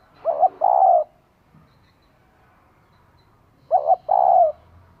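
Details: Spotted dove female calling to stimulate a male: two phrases, each a short double coo followed by a longer, level, slightly falling coo, about three seconds apart.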